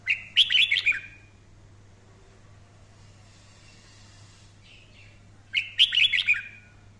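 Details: Red-whiskered bulbul singing fiery 'căng lửa' song for daily voice training: two energetic bursts of rapid, bright warbled notes, one at the start and one near the end, with a faint hiss between.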